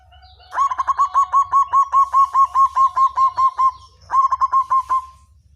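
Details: Black variety of zebra dove singing: a fast run of about fourteen rhythmic, evenly spaced cooing notes, then a short pause and a second burst of about five notes.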